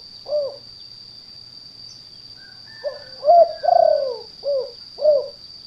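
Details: Lure call of a spotted dove for trapping in gardens or paddy fields: one lone coo, a pause, then a five-note cooing phrase with a long sliding middle note and two short closing coos; steady high hum behind.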